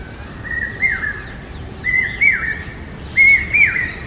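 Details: Common hawk-cuckoo, known as papiha or brain fever bird, calling in forest: three loud, whistled phrases about a second apart, each a rising note followed by a falling, slurred one, over a steady low background hiss.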